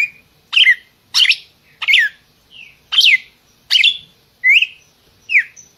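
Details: Red-cowled cardinal singing a series of sharp, slurred whistles mixed with harsher chirpy notes, some falling, some rising, repeated at a steady pace of about one per second.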